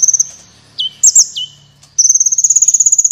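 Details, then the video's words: Energetic sunbird song meant for training competition birds: a brief trill, sharp downslurred whistles, then a rising run of quick high pulses. "Suara Burung Kolibri Gacor Berprestasi (Kolibri Wulung)"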